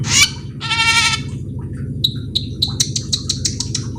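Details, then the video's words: Black-winged myna giving two nasal, harmonic-rich calls, followed by a run of sharp clicking ticks. A steady low hum runs throughout. "suara burung cucak keling"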